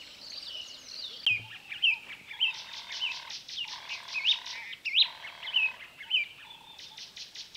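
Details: Wood Sandpiper in Kruger National Park, South Africa, giving short, high, sharp notes about every half second over a steady buzzy insect drone.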